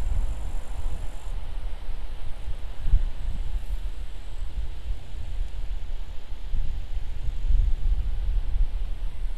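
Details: Steady low wind rumble and microphone buffeting dominate throughout, with no animal voice heard.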